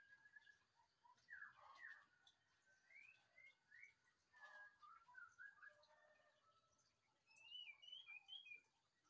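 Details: White-rumped shama, a relaxing backdrop for coffee: scattered whistled phrases, short rising notes and bright upslurs, with a burst of sharp higher twittering near the end over a faint steady hiss.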